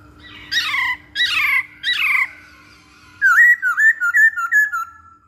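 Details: Masked laughingthrush song used to lure or train birds: three loud, harsh squawks, then a brisk run of twisting whistled notes repeated rapidly, with a faint hum behind.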